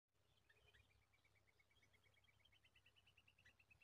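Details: Bulbul chicks stretch toward their mother to take a spider from her beak. A fast, steady run of faint, high, thin chirps repeats about seven times a second over a low background hum.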